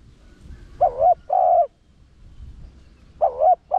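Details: Cooing spotted dove of the 'Rặc Đồng' voice, used to call in wild doves: a wavering first note followed by a steady drawn-out second note, repeated after a pause, then a third phrase beginning.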